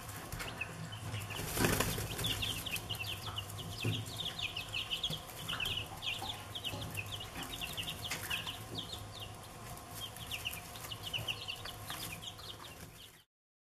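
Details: Chicken chicks peeping continuously, many high short downslurred peeps overlapping at a quick, irregular pace, with scratching and fluttering noises and a low background hum.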